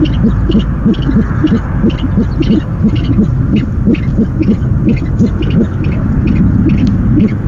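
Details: From an owl nest camera on the night of 17 February 2015, first delivery of the night: a long run of fast, low, short notes about three per second, overlapping slightly, with a steady hum underneath.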